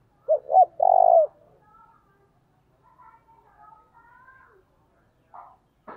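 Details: Spotted dove giving one lure coo at dawn: two quick low notes and a drawn-out buzzy note, followed by faint thin whistles from other birds and a couple of soft clicks.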